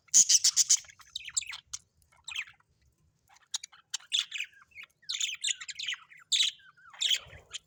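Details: Pet budgerigars kept at home, giving a busy, high-pitched warbling chatter of quick chirps, clicks and short squeaky trills in irregular bursts, loudest at the start.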